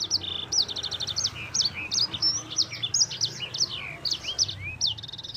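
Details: Energetic 'gacor' rolling song of a yellow-fronted canary (sanger), used for tutoring and prompting other songbirds: an unbroken stream of bright, high chirps, trills and quick upslurred whistles, evenly loud throughout, over a soft low background rumble.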